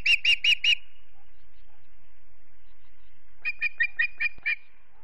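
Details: Late-day osprey calls from a family nest at Charlo, Montana: four loud, clipped whistles in a fast burst, a pause of nearly three seconds, then six softer, quicker chirps.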